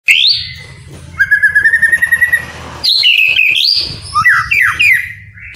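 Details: Captive white-rumped shama song played to prompt lazy birds to sing: loud whistled phrases, a rising note, a rapid trill of repeated chips, then varied rich whistles sliding up and down, over low background hum.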